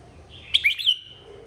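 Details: Single short, loud phrase from a red-whiskered bulbul in a 2023 song contest: three quick, bright, gurgling notes ending in a fading whistle.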